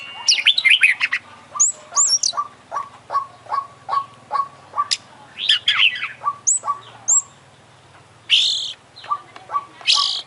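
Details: International champion Oriental magpie-robin singing vigorously, its song full of isian material: a steady series of short repeated whistled notes interleaved with bursts of high, varied chattering and squeaky phrases, with some quieter gaps.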